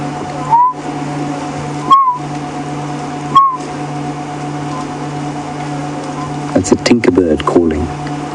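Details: A tinkerbird calling during an afternoon safari drive at Djuma Game Reserve on 1 Jan 2016 gives three clear, hollow, mid-pitched notes, one every second and a half, over a vehicle engine hum, then a brief clattering burst.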